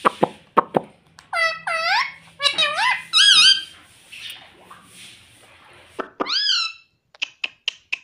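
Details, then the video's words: Talking pet parrot said to call out "mummy": a few dry clicks, then harmonic, wavering speech-like syllables in quick bursts, a pause of soft murmuring, and a final rising-falling squawked word followed by light taps. "Talking parrot Mummy Mummy"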